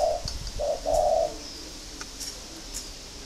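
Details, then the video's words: Spotted dove of a local strain from a bird farm in Ba Vi, Hanoi, Vietnam: a clear low cooing phrase of three notes, the last one longest, followed by quiet background. "cu gáy giộng thổ"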